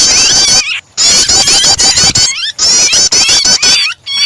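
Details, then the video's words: Prinia starter mixed with a pinched, distressed bird to get other birds singing: insistent high, rapid chirping runs in three loud bursts, each split by a brief silent gap, with crisp clicking notes. "starter prenjak kombinasi burung kejepit"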